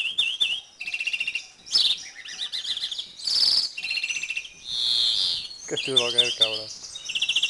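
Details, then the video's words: Breeding-condition male European greenfinch, season 2011: varied rolling trills and twitters alternating with drawn-out nasal wheezes, plus a lower rapid chattering run near the end. "MACHO DE VERDERON EN CELO"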